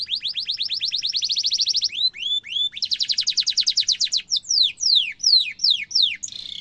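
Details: Rolling canary song used as tutor song for young and adult birds: rapid repeated rising notes, a few separate whistled slurs, another fast trill, then sweeping downslurs ending in a short buzzy burst.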